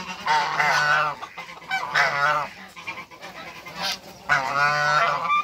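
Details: African geese, a pair meeting at a farm in Greece: loud, harsh honks with layered harmonics, in bursts of about a second separated by short pauses, with a steady low hum underneath.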